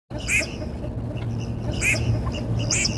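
Red-crested pochard giving three short, wheezy, sneeze-like calls spaced about a second apart, over a steady low engine-like hum.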